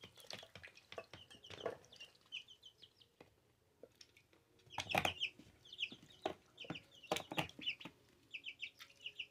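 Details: Ducklings two weeks old calling with bright, high peeps in rapid clusters, broken by louder thumps and clicks of movement, then more bursts of chirping toward the end.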